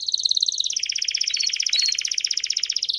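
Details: Belgian canary song, several birds singing together to encourage singing; continuous high bubbling trill of evenly spaced rapid notes, pitch slowly dropping then rising again, with a faint low hum beneath.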